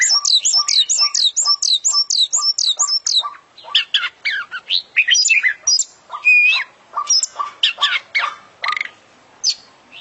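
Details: Kacer, or oriental magpie-robin, of champion standard, giving full 'isian' song: a fast series of about twelve high looping whistles, then a dense jumble of chirps, squeaks and slurred whistles over regular lower notes.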